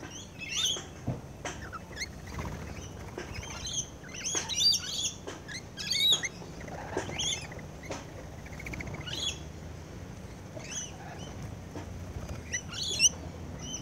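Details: Rainbow lorikeets feeding close up: scattered sharp, high chirps and brief screechy notes at irregular intervals over a low background rumble, with occasional soft patter.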